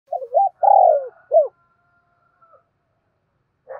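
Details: Decoy spotted dove giving one cooing phrase: two short rising notes, a long rough coo sliding down, then a clipped final note. A quiet faint coo starts at the very end. No other sounds.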